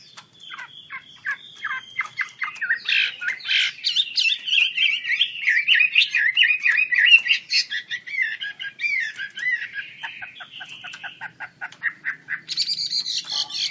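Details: Chinese hwamei described as wambi kembang, singing vigorously with wings open: a dense, tumbling medley of chirps, trills and whistled phrases that builds in the middle and ends in a high, buzzy burst.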